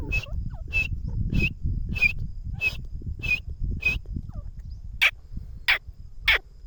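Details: Grey francolin, locally called teetar, giving a fast series of about ten sharp, high chirping notes, roughly one and a half per second, with a low background rumble throughout.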